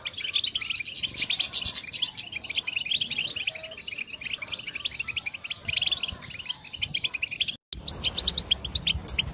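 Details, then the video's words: European goldfinch song, played to encourage silent goldfinches to sing: a dense, continuous high twittering of rapid chirps and trills, with a brief dropout near the end before the twittering resumes. "بتبتة للحسون الصامت يتكلم مجربة ومضمونة"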